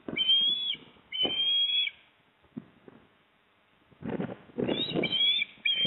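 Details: Osprey at the Port Lincoln nest, South Australia, 28 September 2024, during a fish handover from male to female. Two long thin whistles open, then quiet, then rustling and bumping before more sharp whistles resume.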